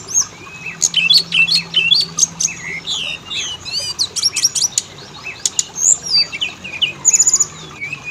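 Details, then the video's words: Oriental magpie-robin lure song to make males and females sing: busy, varied phrases of sharp chips, repeated looping whistles and buzzy high trills, with a rattling burst near the end. "Pancingan burung Kacer; jantan betina langsung bunyi"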